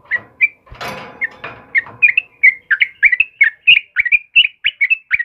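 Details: Sooty-headed bulbul, 'kebo' type, singing vigorously in the morning: a brief rustling burst at the start, then a lively rapid stream of clear, chirpy whistled notes rising and falling.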